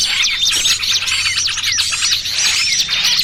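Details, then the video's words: Lure sound for catching small birds, busy trucukan mixed with burcil kejepit: a crowded burst of sharp high tweets and looping whistled phrases, briefly easing near the middle. "Suara Pikat Burung Kecil Paling Ampuh!! trucukan ribut kombinasi BURCIL KEJEPIT andalan pemikat"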